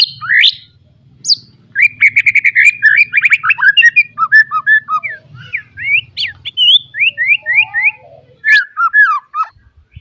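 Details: White-rumped shama song, a full varied recording meant to train young birds to sing: fast runs of whistled notes near mid pitch, rising and falling slurred phrases, a few harsh high bursts, faint low hum underneath.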